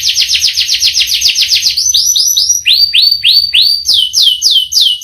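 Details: Domestic canary singing a long rolled song: rapid repeated downward-sweeping notes in fast trills, shifting through several pitch levels, loud and continuous with no other sounds.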